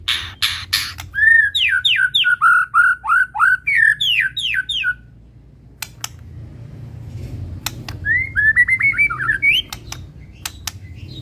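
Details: Medan white-rumped shama in energetic full-isian song: a long rapid series of loud, slurred whistled notes rising and falling about three times a second, a pause with clicks, then another quicker whistled run.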